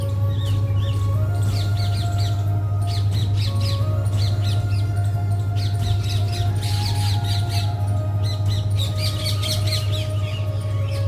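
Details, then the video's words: Several parrots calling during rain, dense clusters of sharp squawking notes rising and falling in busy bursts, heard over a persistent deep drone and long held tones. "पाऊस 🤗✨️आणि पोपटांची 🦜🦜पोपटपंची ||Parrot sound 🦜✨️||"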